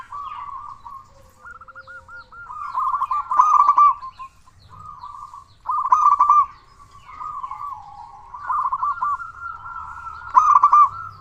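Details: Prolific local zebra dove with a big voice, played to rouse quiet or stressed doves: repeated phrases of looping coos, each building to a loud rapid trill, about four bursts spread across the recording.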